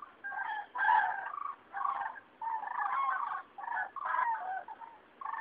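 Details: Common cranes passing over Rochechouart (87) on 15 February 2013, a migrating flock heralding spring: many overlapping rolling, trumpeting bugles in bursts about half a second long, one after another.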